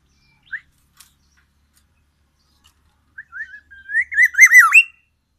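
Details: Black-naped oriole from Aceh, Sumatra, imitating white-rumped shama: a few isolated short whistles, then a loud wavering whistled warble with nasal overtones lasting about two seconds.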